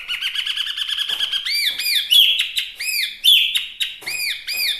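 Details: Chinese hwamei singing a rapid trilled series of looping whistles, then louder arched phrases repeated about once a second, rich and varied.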